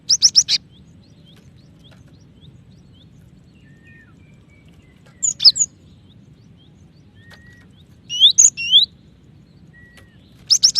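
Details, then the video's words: Calling female cinereous tit, summoning the male: brief bursts of quick, piercing chirps spaced several seconds apart, with a few faint thin whistles between them. "Gelatik Batu Betina Memanggil Jantan ( cepat bunyi )"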